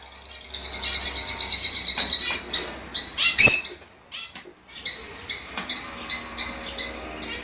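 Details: Pet lovebird calls, used to encourage a female lovebird to lay eggs: a dense run of shrill, high chirps and twittering notes, briefly broken by a louder sharp squeak, then a short pause and more clipped chirps repeated about twice a second.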